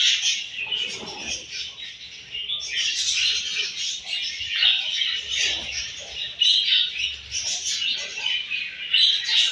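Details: Many budgerigars chirping at morning feeding time, a steady overlapping chatter of high buzzy twitters and squeaks with brief pauses, a few soft low thumps beneath.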